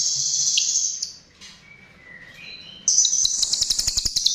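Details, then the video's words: Chestnut-tailed starling singing as a lure: a high buzzy trill, a pause with soft descending whistles, then a fast rattling series of sharp ticking notes, roughly three or four per second, over continuous buzz. "Pancingan Jalak RIO RIO"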